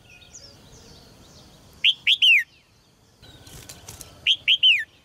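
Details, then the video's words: Red-whiskered bulbul kept caged, singing to urge males on: two matching phrases of three sweet whistled notes ending in a downward slide, separated by a short gap with soft distant twitters. "นกหัวจุก birds - เสียงนกร้องในกรง กระตุ้นนกตัวผู้ให้ร้องอย่างแรง"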